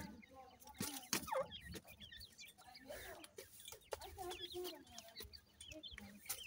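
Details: Grey francolin chicks at feeding time, a dense scatter of thin, high, upslurred peeps repeated rapidly, mixed with loud clicks and taps and some lower murmuring sounds.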